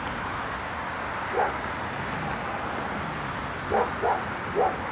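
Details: Crows in Oshawa, Ontario, Canada, March 17, 2022, give one short harsh caw, then after a pause three quick caws in a loose series, against constant background traffic noise.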